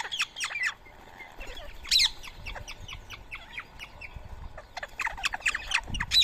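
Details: Flock of rose-ringed parakeets feeding on soaked boiled rice in Coimbatore, India, early morning, 31 March 2024; dense overlapping screechy calls and short chirps, with rustling and low thumps underneath.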